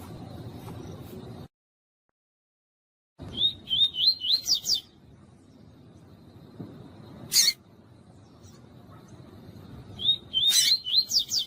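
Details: Female yellow-bellied seedeater (papa-capim) calling, a recording used to stimulate males to sing; quick series of thin, high, upslurred whistled notes, about five in a burst, repeated after a long pause, with faint background hiss between.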